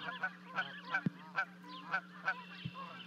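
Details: Canada geese near a 30-foot-high osprey nest in Charlo, Montana, on 12 May 2020, as two goslings leap down to join their parents; a livecam records a run of nasal honks, about three per second, over a steady low hum.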